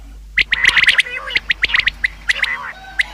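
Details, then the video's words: Common quail calls offered as a hunting lure: a dense run of sharp, clipped notes, some bunched in quick groups and some single, crowding together over about three seconds against a quiet background. "Bedana new common quail sound | शिकार के लिए बटेर की आवाज | btair ki awaaz"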